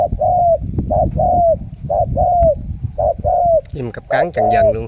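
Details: Spotted dove, a wild-caught bird called a super cooer, used as a decoy that has caught six wild doves; soft low coos in paired phrases, the second note longer and falling, about once a second, then a man talking over the last coo.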